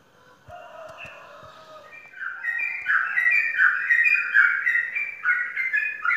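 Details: Caged Sooty-headed bulbul, a champion in Indonesian song contests, starts with soft low tones and faint clicks, then breaks into loud, jumbled warbling notes that bounce across a wide range.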